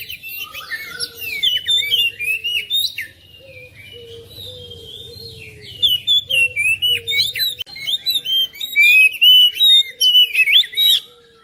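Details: Oriental magpie-robin song meant to prompt a reluctant bird into singing: rich whistled phrases mixed with buzzy, scratchy notes, delivered in rapid bursts that grow louder in the second half, over a steady low hum.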